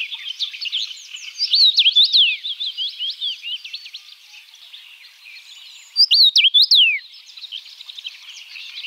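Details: Common rosefinch (Carpodacus erythrinus): two short, loud phrases of slurred, up-and-down whistled notes, over a steady background of high twittering from other birds.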